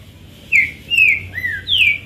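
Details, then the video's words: Green-winged saltator singing a phrase of four clear downward-slurred whistles, the last pitched highest, over faint low background hum. "Trinca ferro zero um mostrando oque sabe fazer!"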